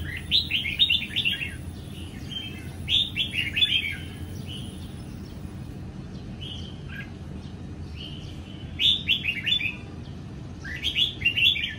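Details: Morning song of a caged young red-whiskered bulbul from Sông Kon, sunning after losing its wild plumage; clusters of quick, liquid whistled notes recur every few seconds with quiet gaps between.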